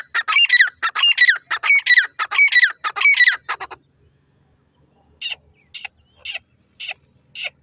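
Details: Grey francolin chicks being fed, giving bursts of loud, high, downward-sliding peeps in rapid harmonic series for about three seconds, followed by sharp dry clicking taps repeated about every half second.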